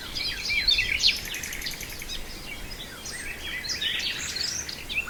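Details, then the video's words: Song of a nightingale at Brijeste, with varied sharp whistled notes and a quick buzzing pulse train of about a second, then further scattered high chirps amid distant bird chatter. "Nightingale in Brijeste"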